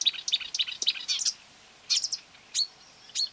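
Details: Marsh warbler responding to a played-back recording near quarry workings, 9 May 2020: a fast scratchy twittering phrase, then a few spaced sharp high notes.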